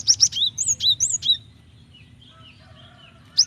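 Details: A female Java sparrow calls a male, a sound used to provoke singing; quick high chips run into a string of slurred, hooked whistled notes, then faint softer chirps before another chip burst, with low hum beneath.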